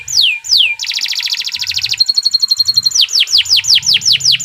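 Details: Local Indonesian canary singing long and vigorously, used for tutoring other birds: two falling whistles, a fast buzzy rolled trill, a higher thin rattle, then a string of loud descending slurred whistles.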